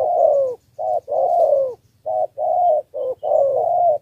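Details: Spotted dove from Cà Mau used as a decoy to lure wild doves, giving a three-note cooing style: low, mellow hooted notes in quick groups, some notes wavering, about one call group per second with short gaps.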